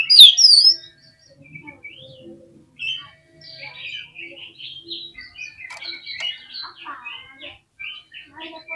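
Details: Oriental magpie-robin in agitated, provoking song: a loud opening flourish of sweeping whistles, then a long run of quieter, varied chirps and short whistled phrases at a steady, busy pace.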